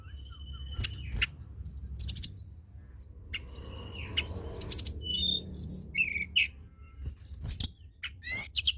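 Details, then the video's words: Blood-breasted flowerpecker (tledekan gunung) singing in a lively 'gacor' style, used to stimulate idle tledekan birds to sing: a busy run of sharp high chirps, thin whistled slurs and ticking notes, with a low rumble underneath. "Tledekan gunung gacor!! sangat cepat merangsang bunyi burung tledekan malas bunyi"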